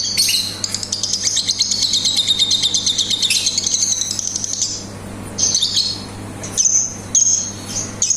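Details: Lovebird in ngetik and ngekek song: a long, rapid, metallic high rattle lasting about four seconds, followed by a pause and several short, sharp chirped bursts, over a soft steady hum.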